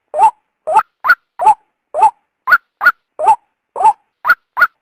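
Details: A female white-breasted waterhen gives a series of short upslurred croaking notes, lower and higher ones mixed, about two per second. The call is meant to entice a male out of its habitat. Nothing else is heard.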